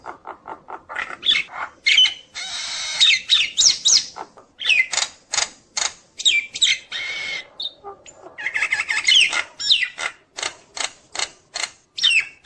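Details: Nias hill myna singing nonstop with a full repertoire, used to rile other mynas: dense runs of sharp clicks and chips broken by harsh grating bursts, the pace steady and busy throughout.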